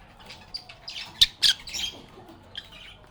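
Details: Lovebirds singing, playing and chatting together: sharp, high squawks and scratchy chirps from several birds, with two louder harsh squawks standing out over a quiet background.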